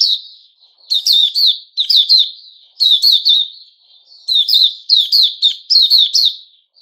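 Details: ;Male sooty-headed bulbul, known as Puteh Raja, recorded 10 July 2021. It gives rapid clusters of bright, downslurred whistles in phrases of several notes, separated by brief gaps. The recording is quiet otherwise.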